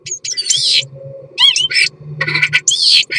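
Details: Common starling in courtship song, a jumble of scratchy chatter, squeaks, twanging up-and-down notes and gurgles in quick succession, with a low hum underneath.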